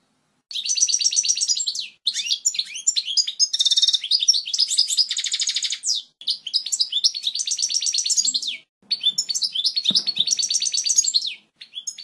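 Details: European goldfinch singing a strong, clear song used for teaching chicks: bursts of rapid twittering, buzzy trills and fast repeated notes high in pitch, phrases of one to three seconds separated by short pauses.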